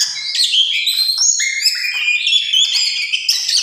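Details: Tame oriental magpie-robin singing a rapid, varied run of clear whistled and slurred notes, phrases stepping between high and mid pitches with sharp chips in between, continuous through the short stretch.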